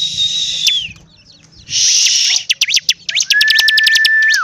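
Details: Singing hard in the gacor style, a bar-winged prinia gives a high whistle that slides down, a hissing buzz, then a rapid run of sharp ticks ending in a long, flat, lower whistle.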